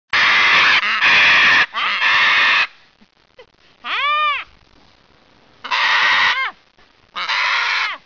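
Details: A mean macaw arguing with an elderly woman: loud, harsh, raspy squawks in long bursts, with a short, rising and falling voiced sound in between.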